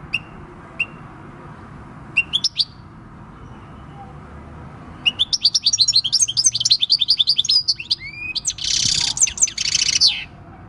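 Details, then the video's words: A six-year-old field goldfinch named El Carbonero sings its wild-type song, recorded 26/12/2019: a few sharp, high chips, then a rapid, tinkling twitter of liquid trills and a harsh buzzy burst. "Chant du chardonneret / Goldfinch song"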